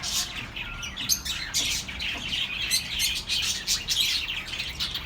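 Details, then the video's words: Birds chirping to soothe lonely pet birds: a steady flock chatter of high, fast tweets and warbling notes that swell in loud bursts about every second. "relaxing birds sounds for your lonely birds"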